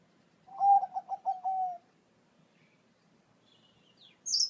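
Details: Bangkok zebra dove song for coaxing a caged dove to answer: a rolling series of pulsed coos ending in a drawn-out note, followed by silence, faint high whistles and one sharp high chirp from another bird.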